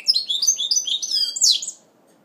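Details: Song of a goldfinch mule in its first moult, recorded in 2012: quick chattering twitters and sliding whistles running together, ending in a sharp buzzy burst before falling quiet.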